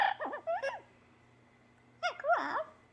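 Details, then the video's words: A pet parrot's morning repertoire indoors: two bursts of arched, whining, voice-like sounds rising and falling, the first near the start and the second after a one-second pause, with soft clapping and human voices nearby. "Coco the Parrot's Morning Repertoire"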